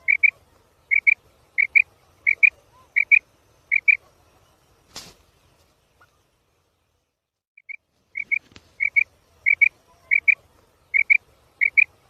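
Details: Female quail (bedana) calling in sharp high double notes, pair after pair at a steady quick pace. A loud click interrupts midway, then a short pause before the paired notes resume over a faint low rumble.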